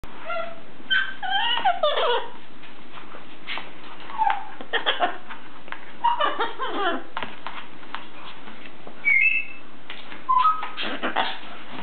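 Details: Pet blue-and-gold macaw vocalising while playing: a busy run of chattering, giggle-like notes, short rising and falling harmonic chirps and squeaks in bursts across twelve seconds, with brief gaps between outbursts.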